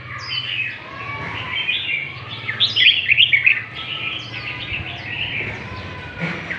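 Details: Northern Red-whiskered bulbul singing in the lân tê style: bright, fluty, warbled phrases with rising and falling slurred whistles, one richer, louder burst midway, over a steady low hum.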